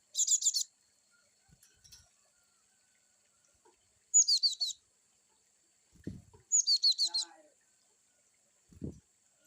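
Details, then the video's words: Gelatik batu, or cinereous tit, in varied wucit chirping: three bursts of rapid, high, ringing repeated notes spaced about three seconds apart, with soft low knocks between. "glatik batu wucit2 bervariasi"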